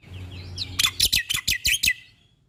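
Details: A rapid run of six or seven raspy, chattering notes from a black-winged starling, preceded by faint whistles, from a recording meant to teach caged birds.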